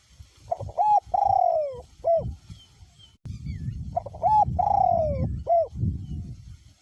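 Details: Spotted dove, a decoy bird with a small-to-medium voice, calling in strong wind; two full coo phrases, each with short lead notes, a sliding downward coo and a final note, with the wind rumbling louder during the second.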